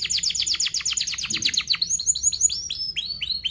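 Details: Canary song meant to coach young birds: quick rapid downslurred chirps, then spaced, clear rising-and-falling whistled notes at a slower pace.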